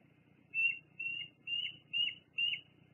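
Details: Juvenile bald eagle on the ground near its nest at Fraser Point, filmed by live cam on 2 July 2022 while exploring: five thin, high chirping notes about every half second over a faint low background hum.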